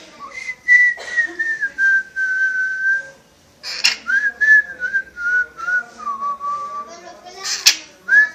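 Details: Pet parrot whistles long sustained notes that slowly fall in pitch, then a second gliding phrase, with sharp clicking sounds between phrases indoors.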